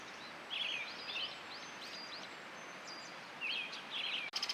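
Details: Brown-headed thrush, a shy summer visitor, at a campsite in Oshamambe, southwest Hokkaido, Japan, in spring, gives short, warbling, mid-pitched phrases with thin high notes after brief pauses; a quick burst of sharp ticking ends it.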